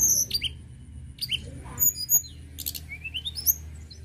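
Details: Energetic Sunda robin song of quick, high, falling chirps and buzzy bursts, ending in a run of rising whistled notes, with light clicking in the background.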